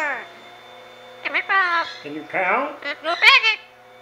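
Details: A pet female Amazon parrot, ten years old, talking in a small room. Speech-like syllables with sweeping, wavering tones come in quick bursts, rising and falling, over a low, steady background hum.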